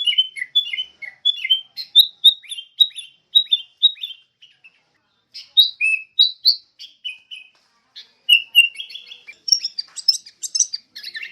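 Sooty-headed bulbul giving bright, bubbly phrases of short whistled notes, dipping and rising, in quick bursts with brief pauses; the clip is otherwise quiet.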